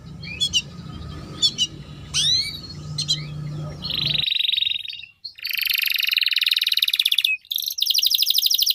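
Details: Canary song beginning with scattered sharp chips and sweeping whistles over a steady low hum, then a buzzy level trill and long very high rapid rolling trills.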